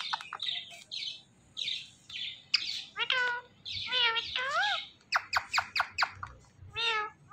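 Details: Talking parrot kept as a pet gives hoarse bursts, then bending, speech-like harmonic phrases and a run of sharp clicky notes near the end.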